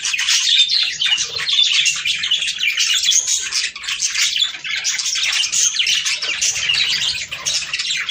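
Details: Flock of budgerigars singing to trigger breeding, continuous high chirping and warbling chatter, steady in loudness throughout.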